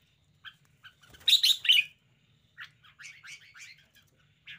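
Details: Lively red-whiskered bulbul display: a loud, harsh burst of notes, then a rapid series of bright, chirpy whistled phrases, closing with one more short call.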